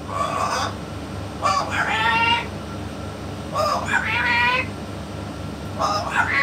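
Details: Yellow-naped amazon (Amazona auropalliata), talking.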